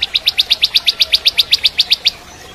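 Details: Crystal-type bar-winged prinia sings a steady rapid trill of about seventeen high, bright chips, evenly spaced at roughly seven per second, then stops. It serves as training song for magpie-robins.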